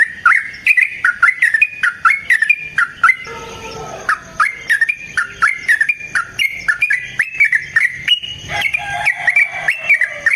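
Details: Long, nonstop sooty-headed bulbul song used as a lure and as training material for other bulbuls. It is a steady stream of bubbly, flicking whistled notes, with a brief softer warble in the middle.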